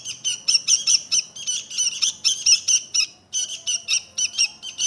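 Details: Sooty-headed bulbul singing: rapid, bright chirped notes in short bursts, about two per second, with brief pauses between phrases and a quiet background.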